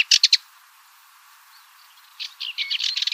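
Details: Cyprus Warbler song fragment: three sharp, loud notes, a pause, then a rising rattling chatter of quick scratchy notes.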